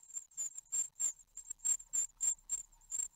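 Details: Nine-day-old great tit nestlings begging during a feeding at their nest in Ostwald on 15 June 2020, giving sharp, very high-pitched hissy bursts repeated roughly three times a second in a steady pulsing rhythm.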